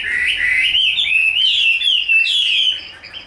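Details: Caged Chinese hwamei, a large, very pure bird singing in fighting display with its tail fanned; loud, clear whistled phrases sliding up and down in a continuous rippling warble, no other sounds.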